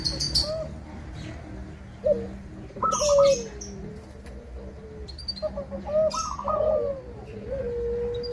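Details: Local zebra dove singing to draw rival doves into answering; clear gentle coos ending in quavering, rising-then-falling trills, repeated in groups, with brief high twitters from other birds and a wing flutter.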